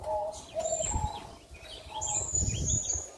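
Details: A male zebra dove (perkutut gong) in strong breeding condition, paired with a red leopard-coloured female tekukur, gives soft, low repeated coos in short phrases, with high chirps from other small birds and some background rumble.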